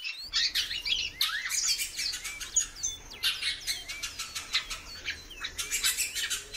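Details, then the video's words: Female great-billed seed finch calling a lot: dense bursts of short, high, sweeping chirps and twittering notes in quick succession, broken by brief pauses, with sharp clicking and rustling sounds throughout. "FÊMEA DE BICUDO PIANDO MUITO"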